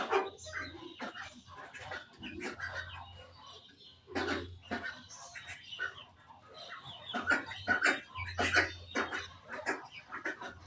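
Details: Several pet budgies chattering in the morning: sharp chirps and scratchy squeaks come in uneven clusters, busiest toward the end, with a low background hum.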